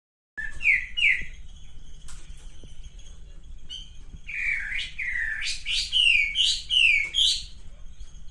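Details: Male pink-necked green pigeon calling: a pair of short, bright, upslurred whistles, then a pause and a run of six or seven rising, warbling whistled notes with slight overtones, over a low steady hum.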